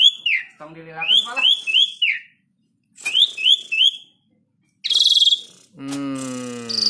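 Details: Asian pied starling, a tame bird used to provoke other birds into song; clear upslurred whistles given in quick sets of three, then a grating buzzy burst and a long harmonic drone.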